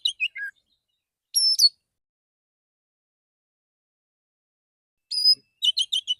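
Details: Morning song of a male white-rumped shama calling to other shamas: quick descending chirps, a buzzy burst, a pause, then a rapid series of short high notes.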